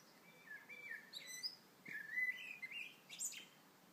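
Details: Morning song of a blackbird, one continuous phrase of rich, fluty warbling that slides up and down and ends in thin, high twittering flourishes.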